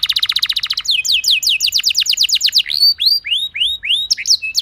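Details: Canary lure song intended to prompt other canaries to sing: a rapid stuttering trill, then descending sliding notes, then slower separate upswept whistles.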